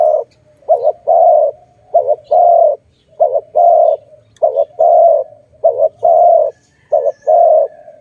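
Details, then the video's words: Dove, recorded around bird trapping, gives a regular series of coos: each a brief two-part note followed by a longer steady note, about six repeats. "Sound of good dove"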